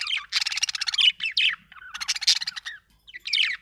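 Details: Budgie chirping in buzzy, rapidly pulsed bursts mixed with short squeaky rising and falling notes, three loud phrases separated by brief pauses.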